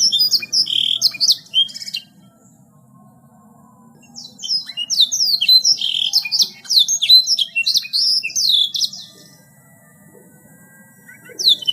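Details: Energetic gacor song from a canary. Two long bursts of dense high trills and slurred whistles are split by a quiet pause of about two seconds, then a longer silence before a final short phrase, with faint low hum throughout.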